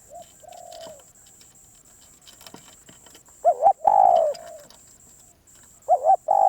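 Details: Spotted dove, a wild-caught and very persistent bird, calling: quiet low coos, then a loud double-pulsed note and a long falling coo, the phrase starting again at the end.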